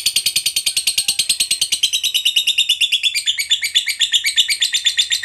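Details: Lovebird long trilling song meant to make other lovebirds sing: steady rapid series of high harsh chattering notes, growing louder and more ragged in the second half.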